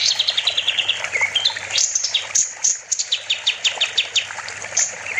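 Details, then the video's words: Kapas tembak bulbul in full song for training other songbirds, giving varied high chattering notes, brief slurs and irregular sharp chips, with a faint hiss in the background. "Kapas tembak gacor || Masteran burung"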